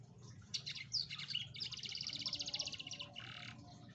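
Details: Atlantic canary song used to lure a lazy canary into singing: bright, rapid high trills and rolling chirped phrases in quick bursts, with a faint low hum beneath.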